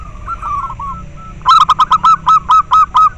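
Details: Local zebra dove sounds used to stimulate breeding drive in captive doves and as a lure. Soft rolling coos are followed by a loud run of about ten rough, clipped notes in steady rhythm.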